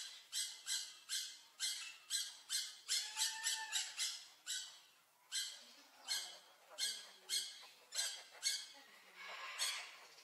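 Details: Blue-naped parrot (Tanygnathus lucionensis) giving a rapid series of harsh, raspy squawks, about two per second, with faint low murmurs in the background.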